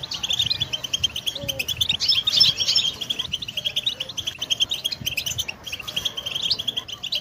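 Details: Goldfinch song meant for training, a busy chatter of quick high notes and trills, a louder burst of ringing notes in the middle, and a faint hum beneath.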